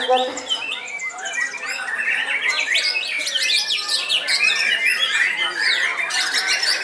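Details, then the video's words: Elderly caged white-rumped shama, said to be about 15 years old and still singing: brief human voices at first, then a rising stream of quick, sharp whistles and chattering trills that grows louder and busier. "BURUNG MURAI TERTUA YANG MASIH AKTIF GANTANG"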